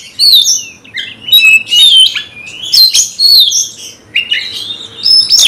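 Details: A kacer (Oriental magpie-robin) in a cage, worked up to fight a rival, mixes harsh squawking notes with high, sliding whistles in short, loud phrases.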